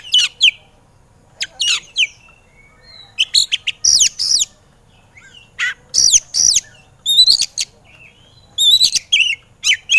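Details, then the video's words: Emotional kacer, the Oriental magpie-robin, training recording to prompt lazy birds to sing: clipped sharp notes and slurred whistles in short groups, including rapid trilled high phrases near the end. "MASTAERAN BURUNG KACER EMOSI"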